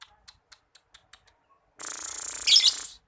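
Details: Champion lovebird from Jakarta in long trilling ngekek song: faint ticking notes, then a dense buzzy high-pitched trill sustained for over a second.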